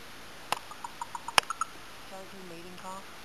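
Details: Big crow perched up high at Mentryville, California, making unusual noises: a sharp click, then a run of hollow knocking notes about six per second, another loud click, and low droning tones near the end.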